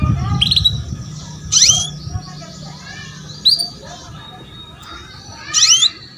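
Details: Female canary calling to lure a young male into song, used as training for young birds: four short bright chirps, each a sharp falling sweep with a buzzy edge, spaced about one to two seconds apart over a low background rumble.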